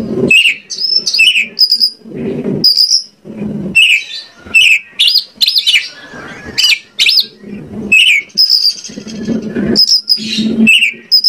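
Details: Lure recording of an Oriental magpie-robin, meant to make other birds answer and sing: rapid, varied whistles and chattering notes repeated in lively phrases over a steady low hum.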